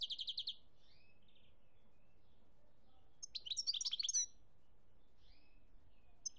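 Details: European goldfinch singing in Algeria, 2017: a short burst of rapid high twittering notes, then a pause with a few faint slurred notes, and a second dense jangling burst of tinkling, buzzy notes before quiet returns.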